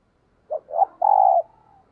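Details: Spotted dove, a caged decoy bird cooing in the 'thúc gù' style used to provoke wild doves: two quick low hoots, then one long, mellow, steady coo that trails off softly, with a quiet background.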